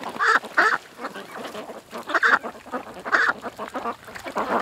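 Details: Ducks at a creek giving loud, nasal quacks in short bursts, paired at about 0.3 and 0.7 seconds, again near 2.2 and 3.2 seconds, with softer chatter and splashing-like noise between.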